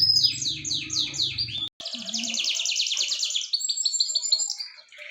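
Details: Started canary singing repeated broad descending sweeps, a brief break, then a fast high rolling trill and a run of short steady whistles; low hum early on.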